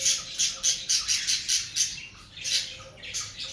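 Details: Cockatiel parrots during breeding season uttering a rapid run of sharp, grating squawks, about four a second, then softer overlapping calls.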